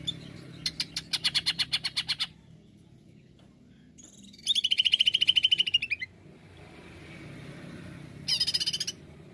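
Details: 'Nembak' song of a greater green leafbird, used as a lure: three loud bursts of rapid, evenly repeated high chips. The middle burst is long and clear and slides slightly downward at its end. Low hum in the background.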